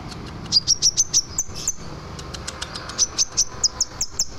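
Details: Scarlet minivet song meant for training other birds: two runs of rapid, high, piercing whistled notes, each run of five to seven notes, over a low rumbling background noise.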